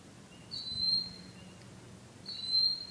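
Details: At night a bird repeats a thin, high, level whistle twice, about one and three-quarter seconds apart, against a faint constant background hum.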